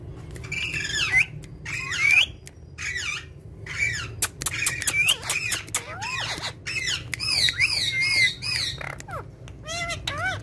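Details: Several pet parrots playing together on a charpai, giving a busy run of harsh squawks and rising, wavering whistled calls, some looping up and down, with short pauses between bursts.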